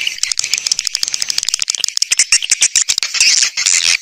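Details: Lure sound for attracting swiftlets, made for speakers indoors and outdoors: rapid, crackling rattles of tiny high clicks and chirps packed closely together, swelling into a louder buzzy twittering burst in the final second.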